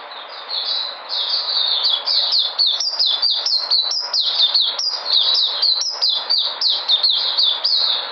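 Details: Puteh (white-eye) on 13 February 2020, coming back in energy: an unbroken run of rapid, thin, high chirps and slurred whistles tumbling over one another for the whole stretch.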